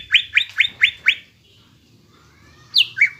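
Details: ['Greater green leafbird in full song, played as a lure to get young, untrained leafbirds singing: five quick rising slurred whistles, a pause, then two sharper descending notes.']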